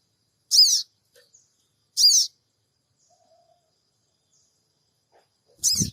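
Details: Lure recording of sooty-headed bulbul cingik cingik calls from Purbalingga, taken on an Android phone: two shrill, grating chirps close together, a long pause, then a third with a low knock.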